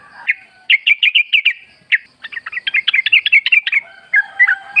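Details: Wild Sooty-headed Bulbul in forest among nature sounds, used as a lure: lively runs of quick chirped notes, rising and falling, in two phrases with a softer ending.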